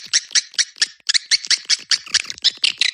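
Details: Swiftlet calling sound played to attract swiftlets. Rasping, high chirps repeated about four times a second, each a short scratchy burst, in a steady run with a brief break near the middle.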